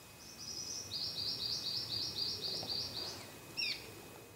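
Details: Lewin's honeyeater, feeding on nectar from a Gymea lily flower, gives a fast, high staccato chatter of about a dozen clipped notes in three seconds, then one sharp downslurred note, over a soft low background hum.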